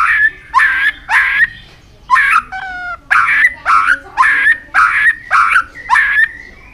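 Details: White-rumped shama training song for building a many-voiced, fast singing: loud, harsh, buzzy bursts repeated about every half second, broken once by a short series of clear stacked whistled notes near the middle.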